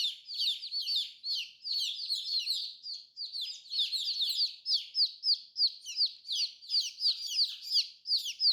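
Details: Nonstop chorus of high, thin peeps from new colorful chicks, each note sliding downward, many voices overlapping steadily throughout.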